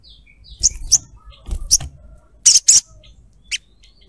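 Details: Calling female little spiderhunter trying to attract a male; a fast irregular series of sharp, high chirps, paired notes twice, then a single final chip.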